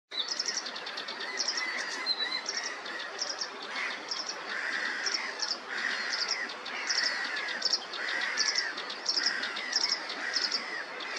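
A sedge warbler sings a fast, restless chatter of high ticking notes mixed with lower buzzy churrs.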